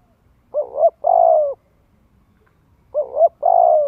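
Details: Spotted dove lure call for coaxing young birds into practising their coo: two matching phrases roughly two and a half seconds apart, each a wavering double note and a long descending coo.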